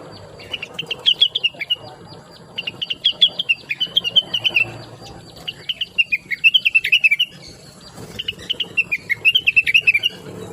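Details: Chatty, melodious blue-winged leafbird in full song, used as a master recording to teach other songbirds: four bursts of quick, high chirping notes rise and fall in rolling phrases, each lasting about one to two seconds, with short pauses between.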